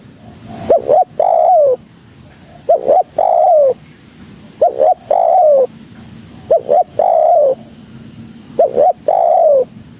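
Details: Spotted dove (tekukur) calling as a lure for other doves: evenly spaced phrases about every two seconds, each a quick pair of soft notes then a long descending coo, five phrases, with a thin steady high tone.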